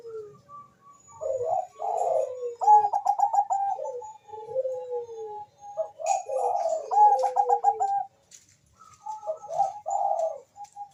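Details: Singing zebra dove of the Bangkok type, its song used to spur breeding mood and singing: repeated phrases of low soft coos leading into fast pulsed rolling trills, several phrases over eleven seconds, with faint high clicks in the background.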